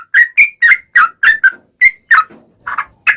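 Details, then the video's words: Sooty-headed bulbul in vigorous song, a long rapid 'ropel' style used as a lure to make other bulbuls answer: short bubbly whistled notes, rising and falling, given in quick pairs with brief pauses, one softer burbling phrase near the end. "SUARA trucukan gacor ROPEL PANJANG"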